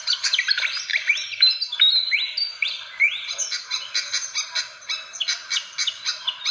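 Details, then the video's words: Fantail lure recording: a tangle of thin rising whistles giving way to a fast, evenly paced series of sharp chirps. "SUARA PIKAT BURUNG KIPASAN SIKATAN"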